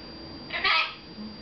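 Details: Indoor pet red-fronted macaw, male, during a talking session with its owners; one brief, harsh, broadband screech lasting under half a second against low room noise.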